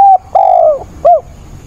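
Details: A decoy spotted dove calls during a 28 October rainstorm to provoke wild doves: the tail of a level coo, a long coo drifting downward, then a short curved final note.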